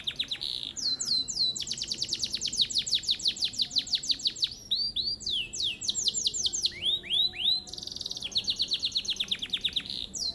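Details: Long-duration competition canary from Mojokerto, Indonesia: a steady run of fast down-slurred whistles, then looping upswept phrases, descending glides and renewed rapid trills, sung without pause.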